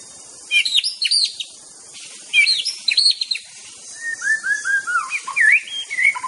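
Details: Master song of a white-rumped shama, used to provoke rivals: high jumbled chips and squeaks, a pause, more bright chatter, then a series of descending whistled notes and twisting phrases. Constant high insect background.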